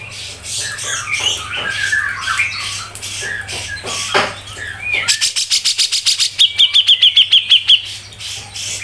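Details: Cucak jenggot, or Grey-cheeked bulbul, in a songbird tutor recording: rough chattering notes, then a fast series of loud, harsh rattling pulses, and a run of about ten sharp, high whistled ticks.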